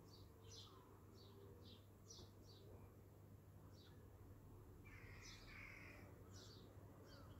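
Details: Small birds in an abandoned garden in Rhyl in June 2021 give short, high chirps in quick bursts, with a brief rising phrase near the end, over a steady low background rumble.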